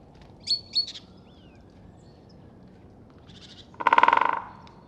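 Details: Great spotted woodpecker drumming on oak, recorded with a Rode NTG-3 and Zoom h6: one short, fast roll of about a dozen even strikes near the end, after two brief high bird calls early on.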